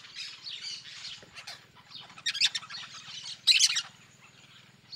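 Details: Yellow-chevroned parakeets (Brotogeris chiriri), a noisy group in the sertão of Bahia, give harsh, shrill screeching chirps, two loud bursts over steady flock chatter and a faint low hum.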